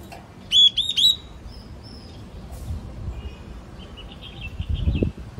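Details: Three loud, clear, high whistled notes from a yellow-cheeked tit, each with a slight upward inflection, then a faint rapid trill-like series a few seconds later against soft background noise.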